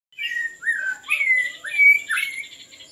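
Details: White-rumped shama song used to lure birds: loud, rich whistled phrases, some sliding down and some rising, in quick varied bursts, over a steady faint high tone.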